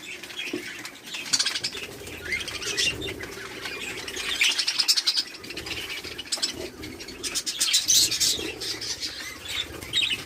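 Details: Budgerigars at a 100-pair breeding farm in Pakistan give a rolling, quieter mix of twittering chirps and squawks, swelling in two louder bursts of shrill chatter, with a faint low background murmur.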